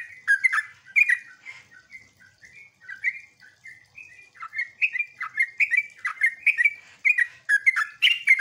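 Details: Yellow-vented bulbul song used as a lure to make other bulbuls answer, in the ngeropel, ngecruk and nembak style: bubbly, chattering phrases of quick rising and falling notes, repeated in rapid bursts that speed up toward the end.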